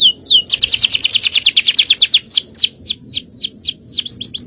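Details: Male canary in full song, a champion-style cengkok: opening swept notes, then a fast buzzy rattling trill, followed by steady repeated downward-slurred whistles.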